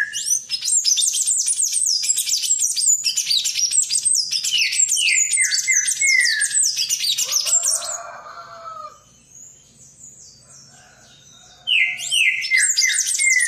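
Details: Palm tanager singing a long, rapid run of squeaky, high chattering notes, followed by a series of lower downward-slurred whistles. A short quieter pause comes near the end before the fast, jumbled song resumes.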